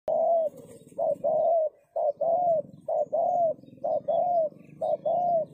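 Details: Decoy spotted dove calling to lure wild doves. It gives a steady run of about six low, mellow cooing phrases, roughly one a second. Each phrase is a short note followed by a longer, drawn-out coo, over a faint low hum.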